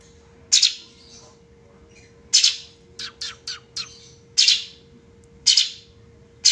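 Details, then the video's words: Sooty-headed bulbul (cucak cungkok) calling with loud, raspy bursts at irregular intervals, broken by a quick run of four clipped chattering notes midway; a faint constant hum runs throughout. "cucak cungkok"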